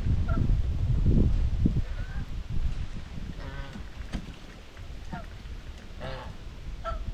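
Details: Domestic white Chinese geese grazing together on a farm, trading soft social calls: several short, nasal honks scattered at irregular intervals, quiet against steady low-pitched outdoor rumble.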